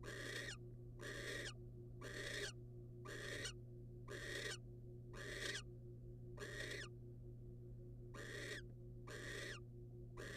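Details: Ten loud, breathy screeches from a wild barn owl as a rodent is brought by the male to the female. Each harsh hiss lasts about half a second and comes roughly every second, with a low steady hum throughout.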